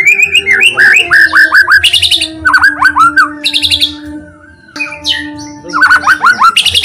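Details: White-rumped shama song used to provoke other shamas: repeated sets of quick downslurred whistles alternating with buzzy high rattles, a brief lull, then the whistled series again, over a low constant tone.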